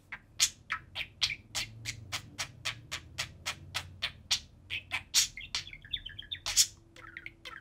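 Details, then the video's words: While a pet budgie pair plays atop the cage, a run of about twenty sharp, evenly repeated chirps, roughly three a second, gives way to a short wavering warble near the end. "Budgie pair playing and talking on top of the cage"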